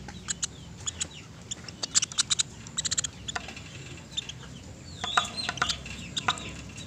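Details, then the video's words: Woodpecker calls from a clear tutor recording for training pet birds: quick bursts of sharp, high ticking notes in short rattling groups, with a few thin rising whistles and steady low background hum. "MASTERAN PELATUK SUARA JERNIH"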